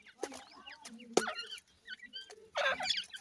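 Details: Young francolins, Dhakni and Irani teetar, scuffling while they play, make short squeaky chirps, then a dense burst of overlapping high calls near the end, with sharp knocks.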